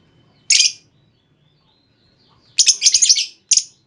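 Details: Calling female lovebird, used to lure other lovebirds into a long trill: one harsh squeaky chirp, a pause, then a fast stuttering series of grating notes and a final short chirp.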